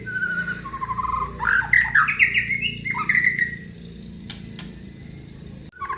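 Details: White-rumped shama of the Aceh type, mid-song. Rich, dense warbling and chattering phrases rise and fall, then fade. A steady low rumbling background noise runs throughout, with a sharp click near the end.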